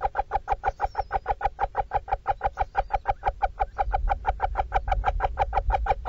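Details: Female little owl talking constantly to her young while feeding them in a Dorset webcam nestbox: a steady train of fast clucking notes, with low rumbling noise growing louder partway through.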